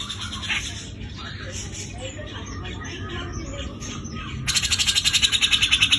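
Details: Grey-cheeked bulbul (Javan form) with a rough trill: scattered faint chirps and background noise come first, then a loud harsh trill of fast regular pulses bursts in and runs for the last second and a half.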